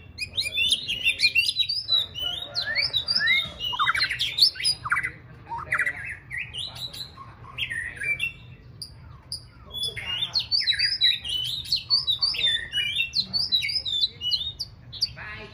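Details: White-rumped shama in training for a singing contest, spaced practice sessions to build its confidence: a long, fast, richly varied song of sharp whistles, slurred notes and rapid trills in dense bursts, with a quieter pause midway.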